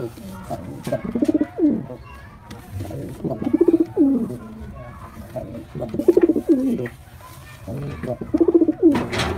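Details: White male pigeon performing, giving repeated deep, throbbing coo bursts roughly every two seconds, each a quick pulsing run ending in a downward slur, over a low background hum.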